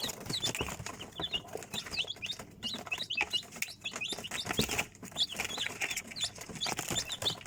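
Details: Many chicks peeping, high thin downward chirps scattered across the recording, mixed with rustling and scratching sounds.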